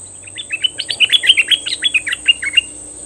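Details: Red-whiskered bulbul used as a decoy bird, singing and calling at wild birds: a rapid run of about fifteen short bright whistled notes, rising and falling, roughly five per second, with a steady high insect-like hiss behind.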